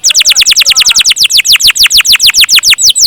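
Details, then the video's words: Canary singing a steady long-roll gacor trill: loud, high, downward-sweeping notes repeated about six times a second, evenly spaced throughout. "Burung Kenari gacor rol panjang"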